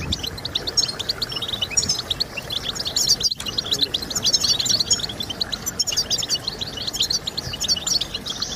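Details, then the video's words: European goldfinch song aimed at encouraging singing. Dense, loud, high twitters and trills tumble together with buzzy flourishes, and one short silent break comes near the middle. "Stimulating Birds with Goldfinch Sounds"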